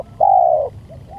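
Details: Spotted dove lure recording: a single sustained, even coo that fades slightly at the end, followed by soft faint notes.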